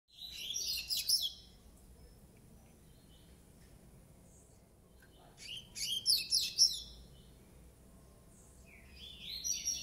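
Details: A 9-month-old Double-collared Seedeater sings three bursts of bright, rapid twittering phrases about every five seconds, with quiet gaps between them.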